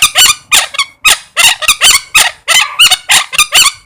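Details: Parrot chattering in a nonstop stream of harsh, grating squawks, roughly three per second, some with a brief whistled tone inside, filling four seconds.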